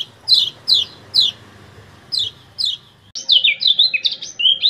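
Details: Common iora from Lombok, training audio for reluctant captive birds: a few spaced, sharp descending 'ciak' chips over faint background noise, then an abrupt switch to fast, high twittering whistles.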